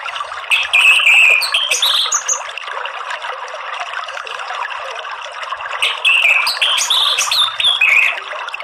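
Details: Therapy recording of an orange-headed thrush, meant to coax a caged bird into singing: scattered bright whistled notes and short warbled phrases in two loud spells, separated by quieter chatter, over a continuous watery hiss.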